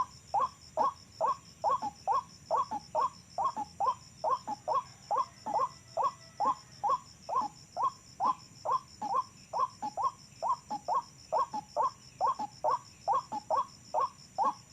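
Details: Wild-recorded white-breasted waterhen calls used as a lure for trapping: loud, regular, mid-pitched croaking notes repeated rapidly, a little over two per second, throughout, over a faint constant high-pitched whine.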